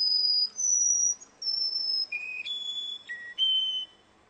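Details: Russian canary singing at a contest: long, pure whistled notes, each held about half a second, stepping between very high and somewhat lower pitches with short gaps between them.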